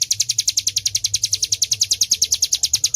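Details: Hill prinia in lively song, kept for training fighting birds: quick, evenly spaced high chirps, roughly ten per second, forming a continuous rattling chatter over a soft low hum.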